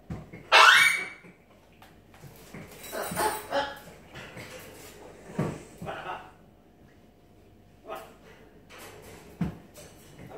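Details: Pet macaw indoors giving one loud, harsh, broadband squawk near the start, followed by several softer scattered squawks and rustling noises in a quiet room.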